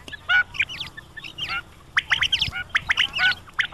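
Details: Quail calling for quail hunting: a fast, squeaky chatter of short upward-sweeping notes, several overlapping in quick bursts with brief pauses.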